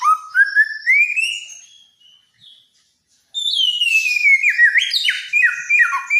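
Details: Helmeted friarbird, a Nusa Tenggara songbird praised for its loud voice and many imitated songs: a long rising whistled glide fading away, a second of silence, then a burst of descending stepped, slightly harsh notes.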